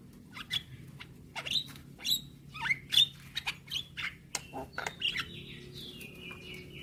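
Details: Javan myna singing on a recording played every morning to train young birds: short chirps and sharp whistled notes, then a long descending whistle near the end.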